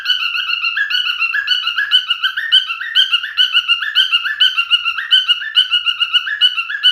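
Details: A male cockatiel whistles a long, repetitive song of short, slurred notes that climb and drop in turn, clear and unbroken throughout.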